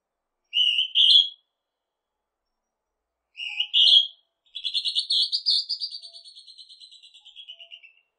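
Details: Northern hawk-cuckoo calling two high whistled two-note phrases, then a long rapid series of piercing notes that climbs in pitch, peaks, and slowly falls away while fading; otherwise quiet.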